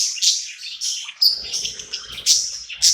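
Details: Pet budgerigar at night, described as happy in a new home, singing and chirping: quick high chirps and short bursts of warbling, with brief pauses and sharp accented notes about every half second.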